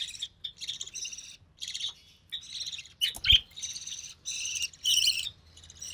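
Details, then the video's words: Budgerigar chick, recessive pied, born early June 2020 to a white recessive pied father and albino red-eye mother, being fed by its mother; hoarse chittering bursts in irregular runs, with one louder knock partway through. "Budgie Chick - Recessive Pied Budgie"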